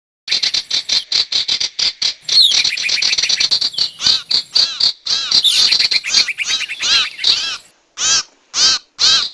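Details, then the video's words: Sirtu calls used as a lure recording for trapping wild birds: rapid bursts of harsh, chattering notes with arched, buzzy elements, dense through the first eight seconds, then three spaced separate calls near the end. "Suara pikat burung sirtu dijamin ampuh!! audio pikat burung sirtu anti zonk"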